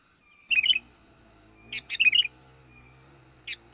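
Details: Lure call of a young sooty-headed bulbul for attracting wild birds: short clusters of bubbly, liquid chirps repeated roughly every one and a half seconds, with sharp ticks between them and a low hum underneath.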